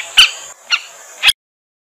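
Three sharp, harsh, high notes from a pratincole, evenly spaced about half a second apart, with a faint steady high hiss behind them.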